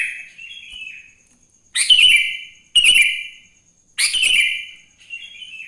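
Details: Vigorous morning singing of a sooty-headed bulbul meant to set other bulbuls singing: loud rich whistled phrases with bright sliding ends, repeated roughly every second, with a quieter trailing whistle and a faint steady high hum.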